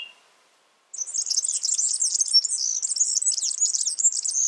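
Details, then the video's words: Yellow-fronted canary, known as the African canary, singing in the wild: a brief soft note, silence, then a vigorous unbroken high warble of fast chirps and trills for over three seconds. "Suara burung Mozambik gacor di alam"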